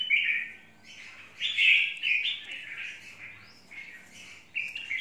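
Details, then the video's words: Red-whiskered bulbul giving a run of rich, slurred warbling notes, phrases tumbling one after another with short gaps, bright and fairly loud throughout. "Chào mào mộc VIP"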